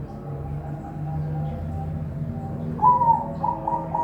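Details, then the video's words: Farm-bred zebra dove in Semarang, Indonesia: after a stretch of quiet murmur and low hum, a burst of clear cooing notes rings out, the first slightly rising, then several quick repeats near the same pitch. "Suara perkutut"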